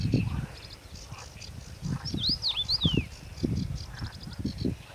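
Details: Common rosefinch song from Stawy Pietkowskie in Podlasie, Poland, May 2018: a single phrase of sweet, slurred whistles dipping and rising mid-clip, set against rhythmic low pulsing rumbles and scattered thin chirps from other birds.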